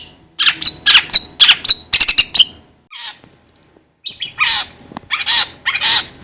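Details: Long-tailed shrike calling in harsh, broadband chattering bursts, about four quick rasps in the first two seconds, then a short thin whistle, a pause, and further loud scratchy bursts mixed with high chirps.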